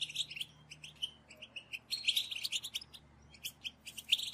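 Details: European goldfinch calls of the bitbita type, used as a lure for trapping, heard fairly quietly: bursts of bright twittering notes and short buzzy chirps come in irregular clusters over a soft background hiss.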